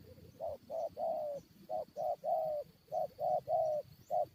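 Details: Spotted dove used as a decoy, calling while fighting wild birds: low hoarse coos in repeated phrases of short and longer notes, about three to a phrase, with gaps between, over faint insect hum.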